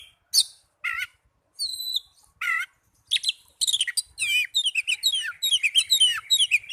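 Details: Young Oriental magpie-robin singing: sharp separated whistles and buzzy notes at first, then a rapid run of rising and falling whistled phrases repeated about twice a second, clear and loud.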